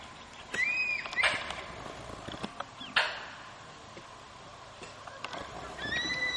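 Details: A crested serpent eagle pair duets during what appears to be the breeding season: loud, ringing whistles that arch up and fall away, in two bursts about five seconds apart, over light clicks and hiss. Recorded 18 December 2010 outside Kulgi nature camp near Dandeli, Karnataka.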